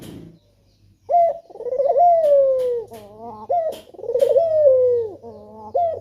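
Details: A male spotted dove gives lure coos meant to make others sing. It repeats a short high note and a long, rippling coo that slides down, each phrase ending in a softer note. A steady low hum and a few clicks are heard.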